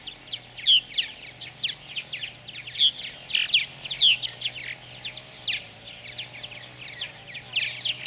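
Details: A pair of purple martins feeding chicks in a gourd nest at a bird farm near Lacombe, Alberta, Canada, in 2017; a dense stream of short high chirps and buzzy twitters goes on throughout, over a steady low hum.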